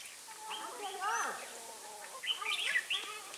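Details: Red-whiskered bulbul recorded while birds were being trapped at Ba Thá on 18 December 2016. Lively chirped phrases burst out near the end, after softer, lower gliding sounds and faint background chatter.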